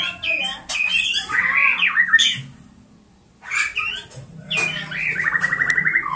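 Oriental magpie-robin singing varied, slurred whistles, rising and falling, then a quick even trill of bright notes after a brief pause.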